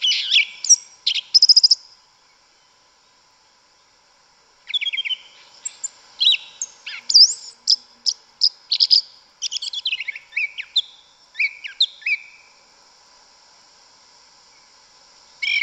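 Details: Forest-dwelling yellow-legged thrush, called sabiá una or sabiá preta, delivering its mateiro-style song: a burst of high chirped notes, a pause of about three seconds, then a long, lively string of varied sharp notes, trills and short whistles.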